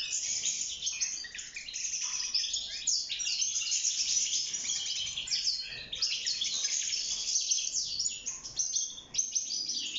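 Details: Wild-caught goldfinch singing inside a cage for mating and nest building: ten seconds of fast, high, bubbling twitters and buzzy trills run together with barely a pause.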